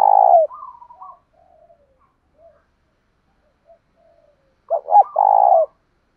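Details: Spotted dove giving a loud lure call to provoke fighting. A coo trails off at the start, soft low murmurs follow, then a full phrase of clipped notes and a long, rich coo.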